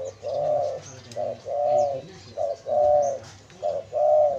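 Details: Spotted dove used to lure wild doves repeats mellow cooing phrases, a clipped note then a drawn-out even coo, four pairs roughly every 1.2 seconds, faint chirps overhead.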